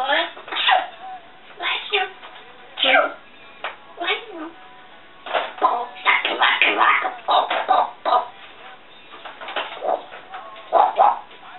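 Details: Female African grey kept as a pet, chatting to herself indoors: long run of word-like babble with warbled, pitch-sliding syllables and scattered short squeaks.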